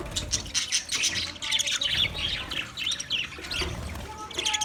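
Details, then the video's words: Budgerigar song from 14 March 2024: steady flow of rapid chirps, warbles and clicking notes, with a few clear short whistles near the end over light low background noise. "Beautiful Budgie Singing Chirping sounds"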